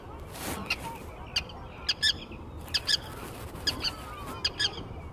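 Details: Forster's tern (Sterna forsteri) gives short, harsh, nasal calls, often in quick pairs, repeated about once a second over a steady hiss of wind or surf.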